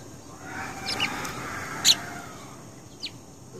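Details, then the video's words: House sparrow in a garden giving three short, sharp, high chirps about a second apart over a steady background hiss. "Garden birds chirping | sparrow song"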